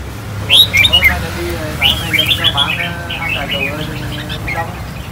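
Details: Red-whiskered bulbul of the Khánh Hòa strain, four years old and caged, teased into its 'ché' song after bathing. A loud burst of sliding whistled notes is followed by a busy string of chirps over low background hum.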